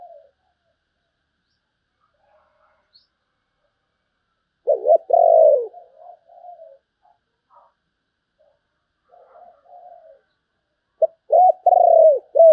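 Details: Spotted dove performing sấm bầu style song: loud bursts of rolling low coos with long quiet pauses and soft murmured notes between the phrases.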